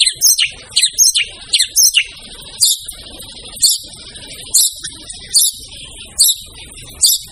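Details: White-rumped shama, locally murai batu, in energetic song for keepers training other birds: quick high chirps at first, then short bright notes spaced about a second apart over a steady hiss.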